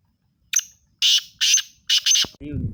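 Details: Sindhi black francolin (teetar) giving a series of five harsh, grating, buzzy bursts in quick rhythm over about two seconds, the middle notes longest, followed by a man's voice speaking briefly at the end.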